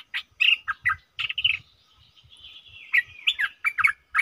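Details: Stripe-throated bulbul in a cage, 7 June 2021, singing busy liquid warbles broken by a long, thin level whistle, over soft low knocking sounds.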